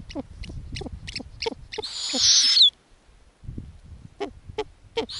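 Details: Snowy owl family on an Arctic nest, the mother feeding owlets on lemmings: short, squeaky, downward-sliding notes repeated in quick irregular series, broken by a loud, harsh, hissing screech about two seconds in.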